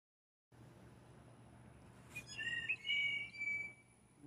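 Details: A Blue Jay gives a mating-call whistle, a short burst of clear, whistled notes around two seconds in, some sliding and overlapping, over a faint steady hum; several jays compete for one female.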